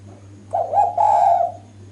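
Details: Loud, clear cooing from a female spotted dove, used as a lure that prompts males to reply. One cooing phrase has a brief break in the middle and ends in a longer, drawn-out note over a faint low hum.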